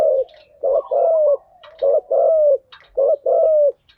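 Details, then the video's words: Spotted dove lure call meant to make kept decoy doves sing, in thúc gù and gáy gọi styles: three rhythmic phrases, each a brief muffled note then a longer coo sliding downward, about one per second. "Tiếng chim cu gáy mồi giọng lôi cuốn hấp dẫn đủ bài[ THÚC GÙ , GÁY GỌI ]"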